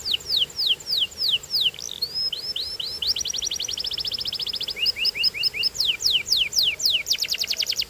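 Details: Canary singing a varied, loud song: repeated downward-sweeping whistles, then fast rolling trills and chopped notes, ending in quick descending sweeps and a buzzy rattle, with faint background hiss.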